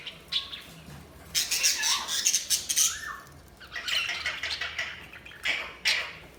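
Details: Budgerigars chirping: bursts of harsh, noisy squawks and chattering notes in several clusters, with a couple of short upward-sweeping whistles, over a steady low background hum.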